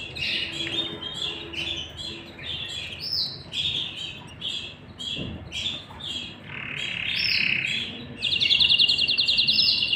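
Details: Domestic canary, male and female together, chicks fed inside the nest. Irregular sharp chirps and squeaky notes for several seconds, then a sudden loud, very fast buzzing trill held to the end.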